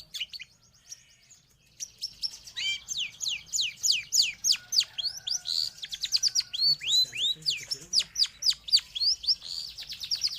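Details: Varied long-tailed shrike song, as used for training caged birds or luring wild ones: fast jumbled sequence of high sweeping, downslurred whistles and chattering notes, about three or four per second, growing louder after a brief pause.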